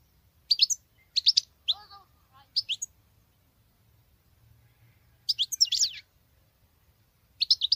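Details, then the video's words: Female European goldfinch singing like a male: short scattered bursts of high twittering notes with gaps between them, a faint lower warble, and a quiet background. "Femelle chardonneret qui chante que le mâle l c'est bizarre !!!"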